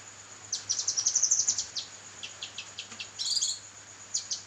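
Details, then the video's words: Kinoi singing energetically on a training recording for songbirds: a rapid run of high, sharp chirps, then spaced single tweets and a brief bright flourish, over a constant high whine and faint low hum. "burung masteran kinoi gacor"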